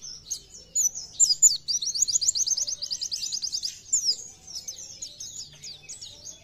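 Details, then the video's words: Oriental white-eye pouring out a gacor nembak song to urge other white-eyes to sing: a long, steady trill of tightly packed thin high notes, framed by quick twittered slurs and chips. "PLECI GACOR NEMBAK BIKIN PLECI TAMBAH GACOR"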